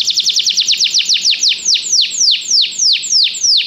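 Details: Canary song played to encourage a pet canary to sing, a series of loud downward-sweeping whistled notes that begin fast and slow to about four per second.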